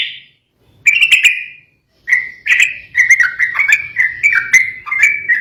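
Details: Sooty-headed bulbul singing in agitation to provoke rivals: a brief whistle, a bubbly phrase, then a continuous flow of quick, slurred whistled notes rising and falling.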